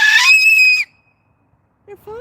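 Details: A Moluccan cockatoo, upset after seeing a child fall off a bike across the street, gives one loud, harsh, piercing scream lasting under a second; after a pause, a brief rising voice sound follows. Moluccan cockatoo.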